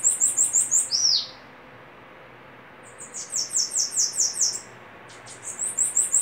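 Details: Bananaquit in a singing duel, opening with a fast high trill ending in a downslurred note, then after a pause another run of sharp, wheezy high notes, and a third phrase starting.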